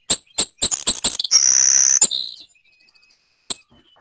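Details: Savannah Sparrow on territory in open grassland or meadow, Vermont, sings: a few sharp, very high chips, then a thin, insect-like buzzing trill that drops to a lower buzz, with a final chip.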